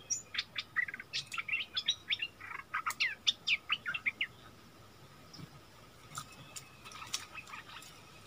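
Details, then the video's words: Bulbul singing in a heated song duel with a wild bird, recorded 27 March 2021: a quick series of short, warbled whistled phrases over three seconds, followed by faint scattered chirps against a low hum. "เสียงต่อนกดอกแตงEp.39 เปิดดอกดวลเดือดกับนกป่า"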